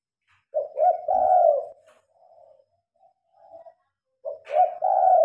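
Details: Spotted dove cooing at night when the lights are on; one long rolling coo phrase, then faint soft coos, then another phrase begins with a clipped introductory note, recorded by phone.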